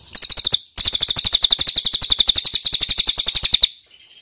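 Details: Lure call of the ashy tailorbird, played to make birds respond: a short burst of high chirps, a brief pause, then a long, even run of rapid sharp notes lasting about three seconds.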